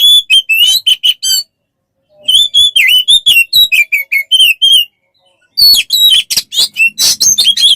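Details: Oriental magpie-robin song used as training material for captive birds: quick clusters of bright whistled notes separated by short silences, ending in a busier mix of whistles and scratchy chatter.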